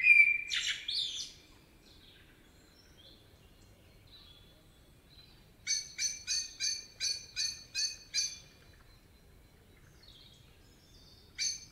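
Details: Singing common blackbird in a Spanish forest opens with a loud slurred whistle and squeaky flourish, then, after a quiet gap, delivers a run of eight evenly spaced metallic chink notes.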